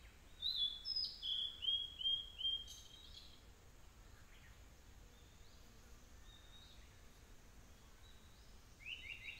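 Blue-and-white flycatcher: a quick run of five clear, high whistled notes about half a second apart, then fainter phrases over a steady hiss of insects.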